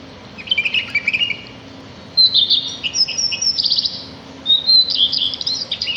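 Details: Sparrows singing outdoors in nature: bursts of high, bright chirps and thin whistles, separated by short pauses, with a faint steady low hum underneath.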